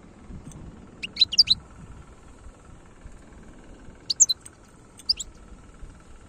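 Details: European goldfinch singing in the khalawi style in Algeria: three short clusters of high, tinkling twitters spaced a few seconds apart, over a soft low rumble.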